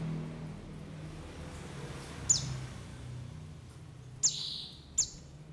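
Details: A white-eye call meant to attract wild white-eyes and get them calling, with forest and flock sounds: three quick, piercing downslurred chirps, the last two close together, over a low hum.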